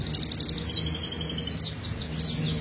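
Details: An Oriental white-eye sings high, thin twittering phrases in quick bursts about a second apart, over a faint steady whistle and a low hum; the recording is a master song played to bring young birds into full song.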